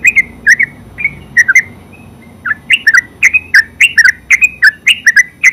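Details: Yellow-vented bulbul song in the ngeropel style: a few chirps, a short lull, then a quickening stream of rich warbled notes filling the last three seconds.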